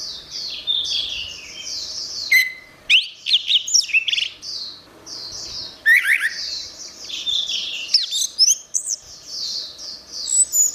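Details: Orange-headed thrush singing for songbird training, with repeated loud bursts of sharp, varied whistles, rapid slurs and clicks scattered through the recording, interleaved with a steady wash of high twittering notes.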